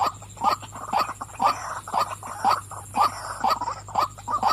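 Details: Female white-breasted waterhen calling: harsh, croaking 'wak' notes repeated about twice a second in a steady run, with a faint constant high electrical whine behind.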